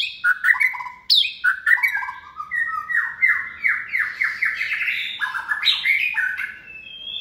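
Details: Caged second-season White-rumped shama, hand-raised from a nestling and kept for song contests, sings a varied, rich run of whistled phrases that slur up and down, with sharp high notes and rapid changes of voice.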